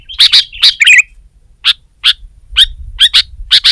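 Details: Sooty-headed bulbul song aimed at a rival: opening liquid, bubbly warbles, then spaced bright single and double chirps.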